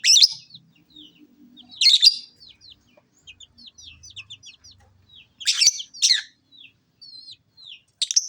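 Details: Lovebird chattering with quick series of short high chirps and twittering notes, broken by repeated loud rasping screeches in bursts, the harsh shrieks clustered near the start and again toward the end; otherwise a quiet background.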